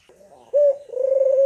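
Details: Barbary dove used as a lure for reluctant caged doves: one brief clipped note, then a sustained, slightly vibrating low coo.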